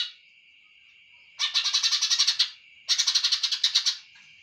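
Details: Greater green leafbird giving two loud bursts of rapid, rattling repeated notes, each about a second long, separated by a short pause over a steady high tone.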